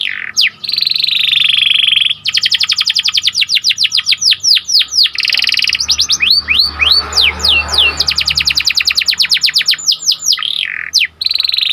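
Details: Panda canary song meant to excite listening canaries: a long buzzy held note, then lengthy runs of rapid chirped trills broken by rising and falling whistled slurs, with a faint low hum behind.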